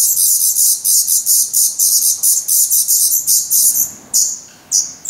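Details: Hungry Black Redstart chicks begging in their nest in Portugal on 17 May 2020, with shrill, rhythmic, hissing pulses that fade toward the end, followed by two separate high chirps.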